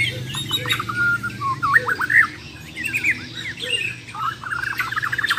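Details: Champion Bornean white-rumped shama from Muara Wahau, contest singing with besetan and tembakan fills: bursts of sharp upslurred whistles and chatters separated by short pauses, a low hum in the background.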